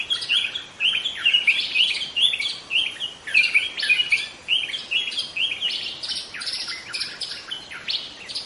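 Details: Forest-dwelling young white-rumped shama delivering a fast, continuous run of varied chirps, trills and short whistled notes, mostly high-pitched, barely pausing across the stretch.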